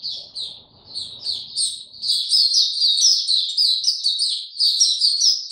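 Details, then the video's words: With no health supplements given, a white-eye opens into song on 29 April 2022: high chirps that thicken after two seconds into a continuous fast twitter, with faint low noise at first. "Mata Puteh Hercules buka sing"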